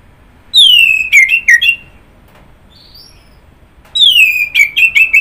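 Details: Orange-headed thrush delivering two rich phrases, each opening with a long descending whistle followed by several quick chirped notes, with a soft thin note between phrases.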